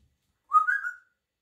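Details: Pet African grey parrot having a good time on its little swing indoors, giving one short whistled note that swells and slides slightly upward before fading; quiet room, no other sounds.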